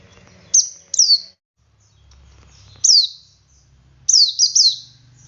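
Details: Male Oriental white-eye singing in the ngalas style, used as a lure to prompt other white-eyes to sing. High, sharp downslurred chirps come singly or in quick pairs and triplets, separated by short silences.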